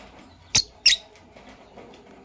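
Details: A green Fischer's lovebird couple in the morning: two short, sharp, shrill squeaky chirps in quick succession, about a third of a second apart, over a quiet indoor background.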